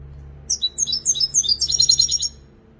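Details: Lively goldfinch phrase of bright, rapid chirping notes, about eight per second, sliding into a dense high tinkling trill before stopping abruptly.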